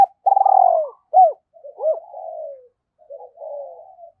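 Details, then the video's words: Decoy spotted dove calling to draw in wild birds: a loud rolling coo that slides downward, two short abrupt notes, then softer drawn-out murmured coos trailing off, with quiet between phrases. "Chim Cu Mồi Gáy Gọi Giọng Hay Và Rất Sát Bổi"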